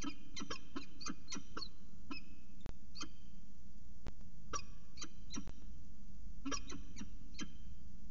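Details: Peregrine falcon calling at CSU Orange at 5:29 am on 25 December 2019, early morning chatter: short harmonic chirping notes in uneven bursts, two or three per second, over a low rumbling background.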